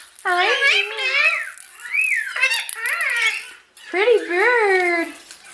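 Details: A pet Indian ringneck (rose-ringed parakeet) playing on its cage talks in high, nasal, word-like phrases: three bursts of chattering speech over about five seconds, with short pauses between them.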